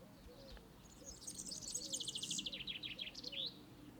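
A European serin sings a very high, rapid jingling twitter, a fizzy stream of tinkling notes about two seconds long, over a faint low background rumble.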